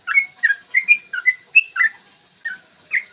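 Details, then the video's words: Lure recording of a yellow-vented bulbul's long 'ropel' song, made to prompt other bulbuls to sing and fight. A fast burst of warbled whistles gives way to a short pause and two spaced final notes. "trucukan gacor TARUNG ROPEL PANJANG pancingan trucukan agar BUNYI dan EMOSI"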